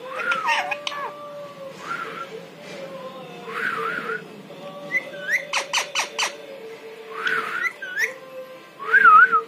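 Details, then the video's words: Talking pet parrot copying human voices, a series of short voice-like bursts and chattering syllables with quick clicks, ending in a wavering whistled note, over a constant low hum. "इंसानों की आवाज निकालने बाला तोता"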